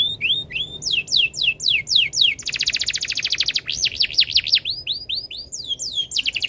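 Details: Singing canary in breeding condition, meant to set other birds singing: repeated sharply downslurred whistles, a long fast buzzy trill, then looping up-and-down whistled notes and more quick slurs, loud and continuous.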